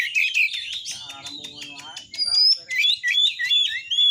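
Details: Captive white-rumped shama, a kacer, song used to provoke other shamas to sing and fight: rich, varied high notes with whistles, trills and mimicked phrases, a lower murmuring patch in the middle.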